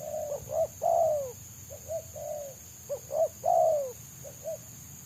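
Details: Untamed spotted dove, its voice dominated by the rapid, dense selang nguku style valued by trappers: short stacked coos leading into a long, drooping coo, the phrase given twice, a constant faint high tone behind.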